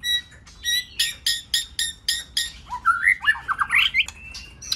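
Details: White-rumped shama singing a varied, many-voiced song used to excite other shamas and train them to sing: a run of sharp, evenly spaced clicking notes, then looping, warbled whistles sliding up and down, ending in short high chips.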